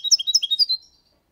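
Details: Brief phrase from a six-month-old European goldfinch singing the Málaga copy style, used to stimulate young birds: under a second of fast, liquid, high twittering notes, about eight in a row, ending abruptly.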